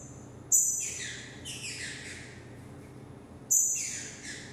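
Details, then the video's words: Green-winged saltator (trinca-ferro), a young bird described as a 2018 revelation, singing in the 'mexida' style with spirit and speed: two loud, sharp phrases three seconds apart, each opening with a high piercing note and then sliding down in rich descending sweeps. "Trinca ferro Aberração na mexida"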